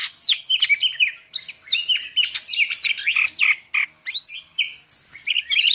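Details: Dense, energetic song of a Medan greater green leafbird, a nonstop jumble of whistles, squeaky slurs and scratchy chatter at high pitch.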